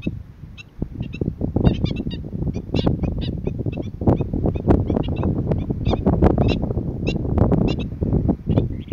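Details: Black-winged stilt on Boa Vista, Cape Verde, February 2020: a rapid, busy run of short, sharp yelping notes, often doubled, partly masked by loud, gusty wind rumble throughout.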